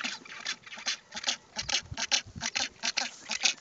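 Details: Southern rockhopper penguins nesting beside black-browed albatrosses on West Point Island, Falkland Islands, adults with chicks calling their mates with individually unique calls; loud, harsh, pulsing brays in rapid rough bursts, several per second.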